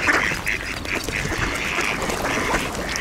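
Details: Mallards gathered with Eurasian coots and swans at an almost-frozen-over ice hole, excited by bird seed; loud, nasal quacks pile up over a constant hiss of splashing and jostling birds.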